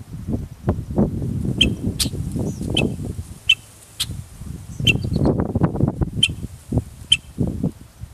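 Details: A stressed red-winged blackbird, apparently with a nest right beside a walking path, gives sharp, dry alarm check notes about once a second at passers-by, over heavy low rumbling and handling noise close to the recorder.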